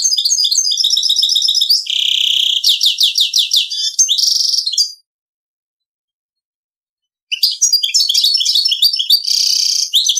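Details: Goldfinch-canary mule sings the Servati Prince royal style: nearly continuous high song mixing rattling trills, buzzy sustained notes and fast repeated chips, broken by one silent stretch of about two seconds.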